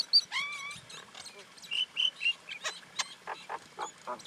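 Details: Common Indian myna giving a varied medley: high clear whistles, a rising-falling slurred whistle, short nasal notes, then a string of sharp clicking and rasping notes.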